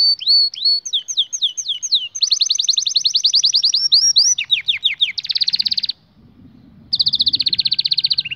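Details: Canary singing as a tutor for young canaries: varied phrases of quick upswept notes leading into long fast rolls, a harsh grating tour, a brief gap, then another rapid trill.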